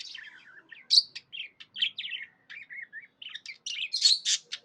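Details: Budgerigar (Melopsittacus undulatus), chirping: contentment.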